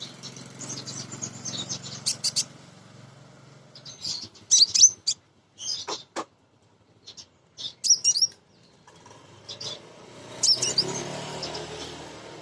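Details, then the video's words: Lure recording of a female sunbird meant to provoke untrained birds. High, squeaky chirps and twitters come in short clusters separated by pauses, over a steady background hiss and low rumble. "Kolibri Ninja BETINA Ngriwik Nyrecet"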